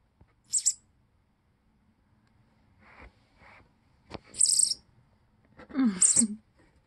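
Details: Baby sparrow, recorded 22 June 2022, giving short shrill high-pitched begging squeaks in three bursts, with a person talking quietly between them.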